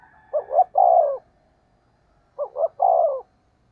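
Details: Spotted dove decoy cooing at speed: two phrases, each a quick double note then a longer husky coo falling slightly at the end, over quiet background.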